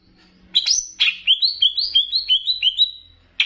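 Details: Greater green leafbird from Banyuwangi, a training song with bebeci-style phrases used to excite other leafbirds: two harsh opening notes, then a regular string of about eight bright rising-and-falling whistles, ending in a short burst.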